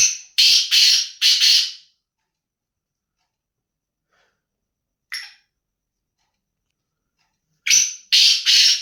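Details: Black francolin giving two bursts of three rasping, scratchy notes in quick succession, separated by several seconds of silence with a single short note between them.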